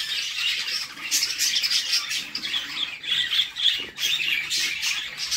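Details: Mother budgerigar feeding her chicks in a nest box while the young keep up a loud, scratchy, pulsing squawk chorus, swelling in waves throughout.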